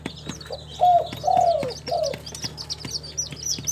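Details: Local tekukur, the spotted dove, kept in Timika, Papua, utters a single soft three-part coo: a short note, a drawn-out descending coo, then a brief closing note. High chirping birds continue in the background.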